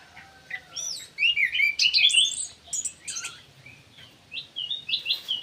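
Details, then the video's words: Ground thrush in an aviary delivering varied, sweeping whistled song with fast twittering passages, then softer spaced phrases of short repeated notes toward the end. "PUNGLOR JALI GACOR"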